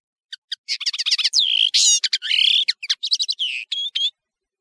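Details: European serin in full song, a rapid tumbling jangle of high metallic chirps, buzzy slurs and short trills, with no pauses.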